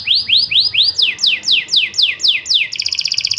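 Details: Canary singing loudly and steadily: a run of rising whistled sweeps, then a run of quick falling notes about four a second, ending in a very fast, high trill.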